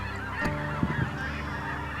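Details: A huge flock of snow geese, including blue morphs and some Ross's geese, coming in to roost in the evening near a highway: a dense wash of overlapping nasal honks, a few louder ones, over a steady low rumble.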